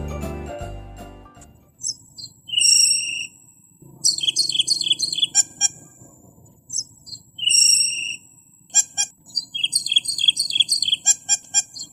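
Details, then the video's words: Camperling song used as tutoring material to prompt birds to sing: very high thin whistled notes and sharp repeated chips, a long steady whistle near two seconds, bursts of quick ticking notes later, brief low noise at the start. "Suara burung camperling buat materan-pancingan-gacor full"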